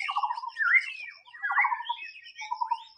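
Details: Rich song of a white-rumped shama in the wild: rolling whistled slurs interleaved with three short rattling pulse trains.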